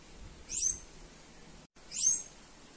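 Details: Sayaca tanager (Thraupis sayaca), call: female calling to stimulate other birds.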